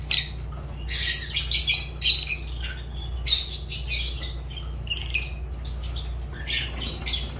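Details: Pet Fischer's lovebird indoors, delivering bursts of shrill, scratchy chattering squawks in quick clusters with brief pauses, loudest near the start and again toward the end, over a constant low hum.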